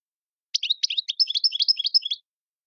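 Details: European goldfinch singing the Algerian tiwawati style linked to Tizi Ouzou and Tadmait: a rapid run of bright, high twittering notes with sharp clicks, about seventeen elements in under two seconds, no other sounds.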